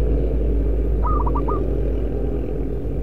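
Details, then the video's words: A single brisk phrase from a local Indonesian decoy zebra dove: a held coo then four fast, bouncing staccato notes, half-buried in strong low-pitched rumble. "Perkutut lokal raja pikat"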